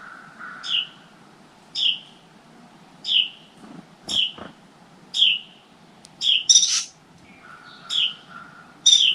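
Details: Adult Carolina wrens (Thryothorus ludovicianus) tending five chicks in a nest inside a motorcycle helmet in a tent give sharp, high chattering alarm notes, about one a second with louder clusters, warning of crows nearby; low background hum.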